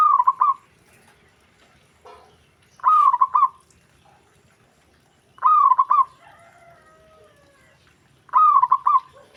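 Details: Zebra dove call with other doves responding straight away: repeated bubbling coo phrases of quick stuttering notes, four phrases about every three seconds, with a faint descending whistle from another bird between them.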